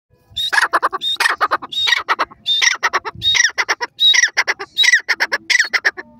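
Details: Rohilla or Irani teetar, a francolin, calling loudly: harsh, squawking bursts of rapid notes in repeated phrases, each phrase about half a second long, with brief gaps between them.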